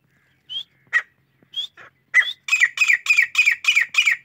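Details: A wild grey francolin (Francolinus pondicerianus) calls: a few sharp, rising introductory notes, then a fast run of about eight loud, harsh, ringing notes at roughly five per second.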